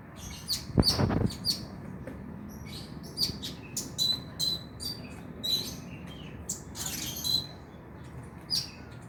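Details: Oriental magpie-robin singing, used to prompt night-time song: scattered sharp chirps and short high whistles spaced about a second apart, with a brief thump near the start and low background rumble.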